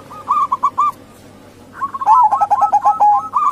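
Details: A female zebra dove of local stock, sounded to attract males: a few spaced coo notes, a pause, then a dense burst of rapid rolling trills.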